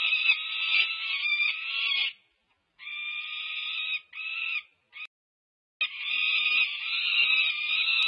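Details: Wild peregrine falcon nestlings, five-plus weeks old, begging at feeding time at a UC Berkeley nest, California, May 2023; grating drawn-out screams broken by short silences, ending in a long loud wail.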